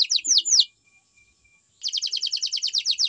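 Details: Canary song with a few loud, sweeping downward whistles, a brief pause, then a quick run of repeated chirping notes.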